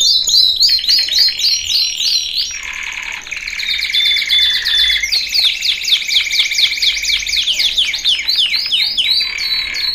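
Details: Training song of a male canary, loud and continuous, switching between rapid chattering trills, a low rolling tour, long held whistles and quick high chips with no pauses.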